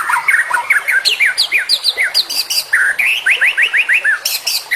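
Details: White-rumped shama song with full variety: rapid chirps and down-slurred whistles, around three notes per second, ending in a quick rising series and bright high notes.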